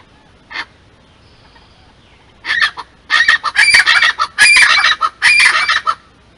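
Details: A pair of Scaled chachalacas (Ortalis squamata) duets at Pontal da Daniela, Florianópolis, Santa Catarina, Brazil, in October 2021: one short harsh note, then a loud, raucous chorus of grating, rhythmic phrases over about four seconds.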